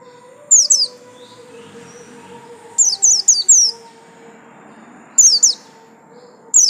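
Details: Caged pleci buxtomi white-eye, a yellow-lined type, giving short bursts of two to four high, downward-sweeping chirps separated by gaps, over a steady low hum.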